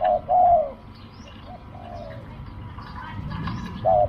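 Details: Spotted dove during decoy luring, with a short hoot and a longer falling coo, then a quiet stretch with a faint distant coo and soft rustling before one more clipped hoot at the end.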